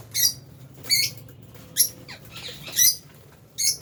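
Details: Albino and Fisher's lovebirds in an aviary, at feeding time, give short, sharp, high chirps about once a second, each a brief bright burst with quiet gaps and faint low room hum beneath.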